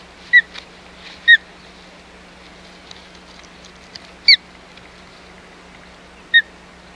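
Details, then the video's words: Osprey at the Hog Island nest on 4 May 2020, in a fight over the nest: four brief, high whistled chirps spaced unevenly over a soft hiss and a low steady hum. "Nestoration ends in Fight over Nest - Hog Island Osprey Nest"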